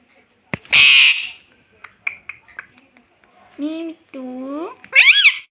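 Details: Talking pet rose-ringed parakeet: a loud harsh burst and scattered clicks, then a series of nasal, wavering word-like syllables with a shrill rising syllable at the end, in a small indoor space.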